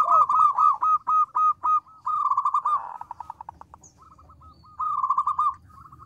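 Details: Vigorous local zebra dove with a small but ringing voice, singing to make other doves reply; evenly spaced short pulsed phrases, a rough noisy burst near the middle, quieter clipped notes, then a final fast trill.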